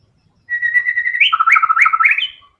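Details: A white-rumped shama gives a long level whistle that turns into quick rising and falling warbles, loud and clean against a quiet background.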